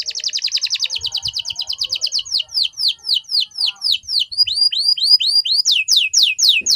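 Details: Canary training song: a fast high trill slowing into repeated down-slurred whistles, then looping up-and-down notes at a steady pace.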